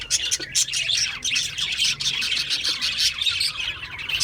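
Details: Budgerigar chatter, with quick high chirps and warbling squeaks tumbling over one another in a lively, unbroken stream.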